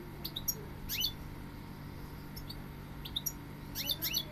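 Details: Goldfinch uttering brief, high, slurred chirps in a few quick groups over a humming background.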